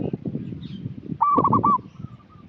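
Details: Local zebra dove (perkutut) singing as a lure for untrained birds: one short phrase of rapid rolled cooing notes stands out over a constant low rumble, followed by faint drawn-out tones.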